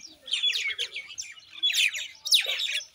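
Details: Common myna chattering in three loud bursts of squeaky, scratchy notes, each burst mixing sharp downslurred chirps and brief whistles, with quieter gaps between them.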